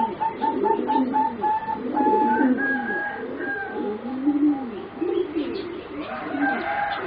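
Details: Four young singing zebra doves, about three and a half to four months old, of a line bred for song competition. Soft rolling coos arch low and repeat steadily, over thin clear whistled notes and a faint background hum.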